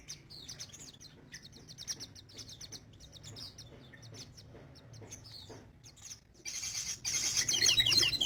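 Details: Sogon bird in full voice; mostly faint high ticks and clicks, then a sudden loud burst of rapid, high twittering near the end, over a low steady hum.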